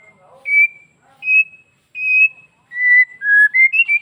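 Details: White-rumped shama from Bali in full song, used as a lure to make other shamas answer: a series of clear, steady whistled notes, each about a third of a second, stepping up and down in pitch, then quicker rising whistles at the end.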